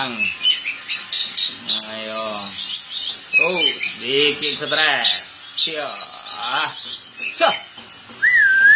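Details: Captive white-bellied oriental magpie-robin, a contest bird that was a national champion at the Bupati Cup 2017, singing a loud, varied stream of high whistles, chattering trills and slurred notes, with men talking nearby.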